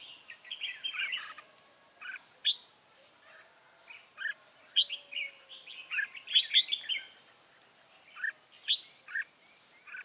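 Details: Red-whiskered bulbuls at a trap, 24 September 2017, a decoy bird luring wild ones: a lively run of short sharp chirps and warbled phrases, several birds answering, over a thin constant high tone.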